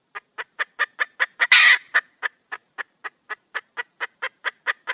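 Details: Calling wild hen, a female junglefowl looking for a mate: brisk clucking notes, one loud harsh rasp early on, then a long regular series of clucks at about four per second.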